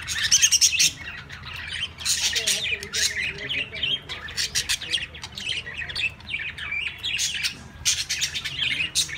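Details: Pet budgerigars playing with a basket, chattering in quick, scratchy bursts of high chirps and squawks.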